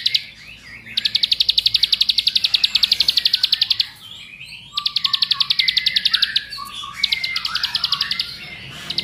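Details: Bar-winged prinia of the paddy-field type, used as a lure to get other prinias singing continuously, giving fast, high, buzzy trills in bursts of about three seconds, each of rapid clicking notes, with short pauses between.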